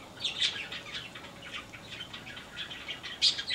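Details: In an aviary, a yellow-crowned parakeet gives rapid, high chattering chirps in quick bursts, with a sharper squeak near the end.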